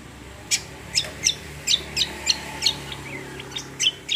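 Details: Cucak kombo, or kecial kombo, giving a fast series of short, sharp high chirps and clicks about three a second, with a soft low hum behind.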